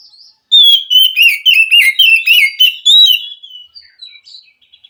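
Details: Forest-dwelling wild Oriental magpie-robin, which is said to answer and encourage a captive bird that will not sing: a loud rapid burst of rich, warbling whistles, then softer, scattered high notes.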